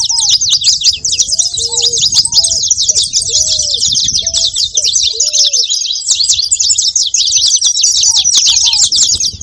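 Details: Many saffron finches chatter constantly in high, scratchy chirps, while lower drawn-out whistled notes appear in a cluster early on and again near the end.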